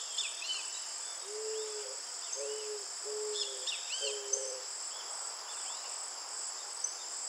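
An eared dove gives a soft, low series of four hollow coos over about three seconds, beneath a steady high drone of insects and light chirps from other birds.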